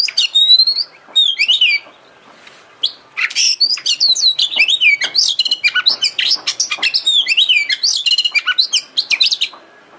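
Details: Oriental magpie-robin (kacer) song played as a lure to provoke singing and tail-opening display: long rich stream of varied whistles, slurred high notes and quick chirps, nearly continuous after a brief pause.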